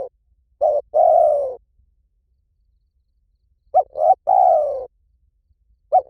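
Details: Spotted dove, Liw Tan song style, played to prompt a trained dove to answer: a phrase tail, one full phrase of two short notes and a long descending croo, and a new phrase starting at the end.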